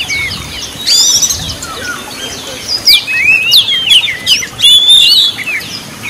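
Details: Oriental magpie-robin in full gacor song, meant to rouse other magpie-robins into singing: bursts of sharp, rising and falling whistles and chips, alternating with short pauses, over a faint hiss.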